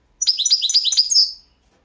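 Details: Carduelis carduelis balcanica goldfinch singing for a 2022 world championship; a single quick phrase of high rolling twitters, evenly paced, ending on a sharp bright note, clean with no background.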